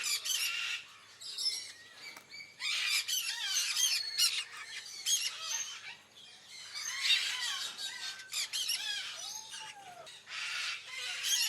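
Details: Sun conures squabbling over food with another bird at Taman Satwa Gurun Putih Lestari: harsh, shrill screeching squawks in rapid bursts, some with sliding pitch, separated by brief pauses, over faint outdoor background.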